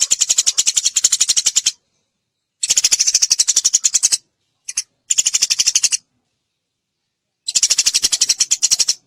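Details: Eurasian tree sparrow in nyrecet style, a masteran lure to provoke singing. Four separate bursts of rapid, scratchy, high-pitched ticking are set apart by gaps of silence, with one brief note alone in between.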